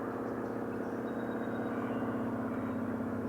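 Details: Steady low vehicle engine drone with a pulsing rumble throughout, and no animal voices.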